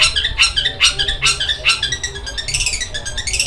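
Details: Rough, sewing-machine-like singing attributed to a long-tailed shrike: scratchy, squeaky notes in quick pulses a few times a second, then a denser high chatter, heard indoors with some background hum.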